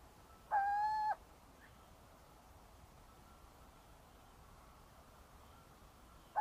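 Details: A little owl gives a single clear, mellow hoot, steady in pitch and about half a second long, then silence until another hoot starts at the end.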